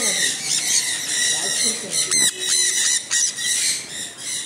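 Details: Rain-soaked sun conures giving sharp, rasping screams in clustered bursts, with a person speaking faintly underneath.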